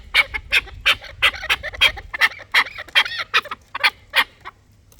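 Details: Dulani fighting chukar partridge giving loud, bright, clipped chuk notes in a quick, uneven series of about a dozen, then trailing off near the end.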